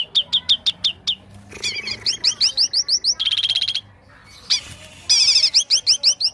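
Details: White-rumped shama singing: a row of clear, evenly spaced whistled notes, then a run of upslurred notes and a fast buzzy rattle. After a short pause comes another quick series of rising, slurred notes.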